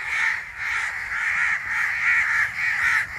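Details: Crow chick while parents clamour outside: continuous, overlapping harsh rasping calls with little gap between them, swelling and fading in rapid pulses about twice per second.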